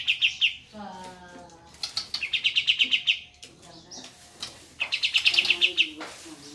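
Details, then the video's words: Ngeroll tembak rolling song of kapas tembak bulbuls in a group: several quick runs of ringing repeated high notes broken by pauses, with lower chirps from other birds and a faint trickle of water. "Burung Kapas Tembak Ombyokan Sudah Gacor Ngeroll"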